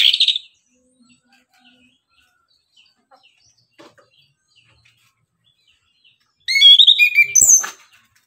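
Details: Morning song of an orange-headed thrush, played as a lure to excite other birds: a short high warble at the start, a long near-silent gap with faint ticks, then a loud, tumbling burst of mixed high notes.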